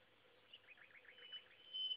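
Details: Common nightingale singing on an afternoon near Szentsimon, Hungary, recorded by phone: a quick run of about eight repeated, slurred notes, then a pure, sustained high whistle, over a faint background hum.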